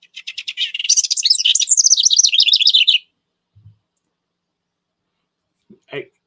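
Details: House Wren typical eastern United States song: a three-second rush of bubbly high notes that starts with chattering and tumbles into rapid descending trills, followed by a soft thump and a brief voice.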